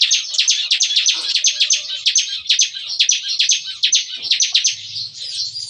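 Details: Bar-winged prinia song from a caged aviary group at morning, in the nembak-nembak style: a steady, machine-gun stream of sharp high notes, about five per second, with a low hum at the close.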